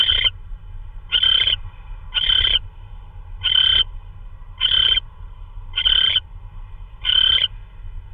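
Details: Night recording, March 16 2013 at 3:12 AM, of an owl delivering prey thought to be a vole: seven hoarse, hissing screeches repeat fairly evenly about once per second over a low, constant rumble.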